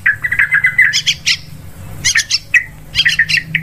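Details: Bird-hunting lure of a sooty-headed bulbul: a short bubbling phrase of liquid notes, then separate bursts of harsh chattering chirps with short pauses between them.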